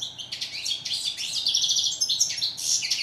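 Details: European goldfinch, known in Morocco as steyla, singing a fast, tinkling run of high twittering notes and buzzy trills, almost continuous throughout, with a faint low hum beneath.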